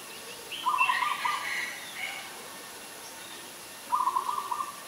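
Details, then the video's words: Ashy Woodswallow, a very common resident, recorded in Ubon Ratchathani, Thailand, on 20 October 2021: two short bursts of rapid, buzzy, harsh notes about three seconds apart, with fainter higher chattering between them. "นกแอ่นพง : Ashy Woodswallow"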